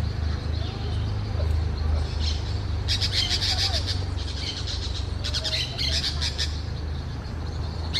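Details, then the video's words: Orange-chinned parakeets giving rapid scratchy chattering calls in dense clusters, several overlapping birds, with a constant low rumble underneath. "sonidos y cantos de PERICOS VERDES barbinaranjas"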